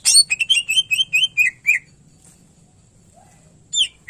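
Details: Rapid repeated chirping from a cucak ijo (greater green leafbird), recorded as tutor song for other birds: a steady series of sharp notes ending in curved whistles, a pause, then two more sweeping notes.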